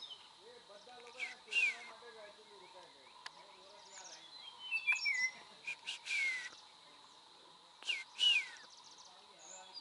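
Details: Common iora recorded in Gir Forest National Park, Gujarat, India, giving several short downslurred whistles in bursts spaced a few seconds apart, over a constant insect drone with low chattering of other birds.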